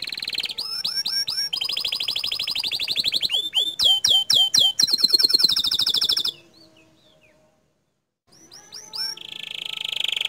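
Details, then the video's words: Canary in full 'gacor dor' song, rattling off fast repeated upswept notes, dense rolling trills and sharp looping phrases. The song breaks off into about two seconds of silence, then resumes with sweeps and a buzzy high trill. "Kicau Kenari Gacor Dor"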